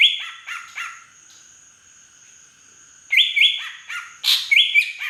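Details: Large native green leafbird, Beutong forest in Aceh, performing fill-in that imitates a drongo: a quick phrase of level whistles and chirps, a two-second lull with faint steady hum, then a longer bright, chattering whistled burst.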